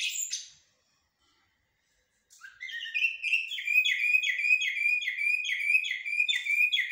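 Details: Common blackbird in 'blacksmith' and 'military' song styles: after a short opening note and a pause, a steady, rhythmic series of identical clear whistled phrases repeated about twice per second.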